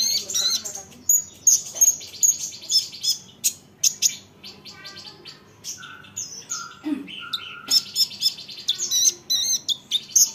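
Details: Olive-backed sunbird singing so that other sunbirds answer: thin high ticking notes repeated in bursts, mixed with brief lower whistles and fast chips.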